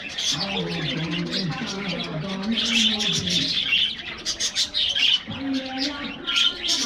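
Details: Budgerigars in a morning aviary during a diet treat, a flock giving busy high twittering and scratchy chirps, with low cooing notes from other birds mixed in.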